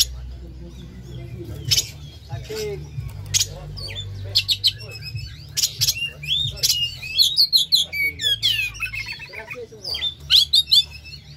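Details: Caged Oriental magpie-robin giving lure song: varied sharp clicks, rising whistles and chattering phrases, growing denser toward the end, over a steady low hum.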